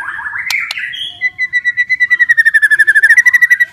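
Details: White-rumped shama, caged, singing to encourage stressed or silent shamas: brief warble with two sharp clicks, then a long steady trill of rapid, evenly repeated notes, about four per second speeding up.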